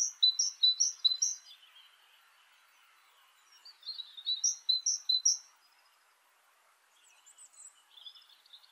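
A great tit gives two bursts of bright, two-note phrases, high then lower, about four quick repeats each. Fainter chirps follow over quiet background noise.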